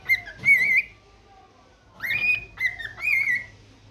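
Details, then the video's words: Morning whistling from a pet cockatiel: a wavering whistle, a silent gap, then a rising upslur followed by two level, slightly quavering whistles. "cute bird sing unlimited song for morning refreshments"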